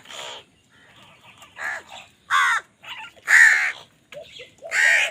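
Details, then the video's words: Crows fighting for food: a string of loud, harsh caws at irregular intervals, about six of them, with some softer croaks in between. "Crow Sound Crow ki Awaz Loudly | Crow bird Fight for Food"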